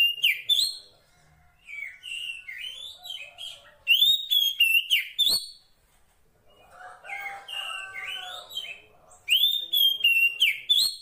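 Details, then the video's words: Female Oriental magpie-robin calling to the male, heard in the wild: loud clear whistled phrases around high pitch, slurred rising and falling notes in bursts of about two seconds, separated by short pauses and softer chattering twitters. "Suara Kacer Poci Betina memanggil Jantan"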